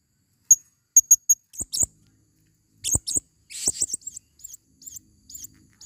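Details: Female blue-crowned hanging parrot, a forest lure: brief high 'tsip' notes repeated in threes, then clusters of shrill wavering squeaks and twitters, with short quiet gaps between bursts.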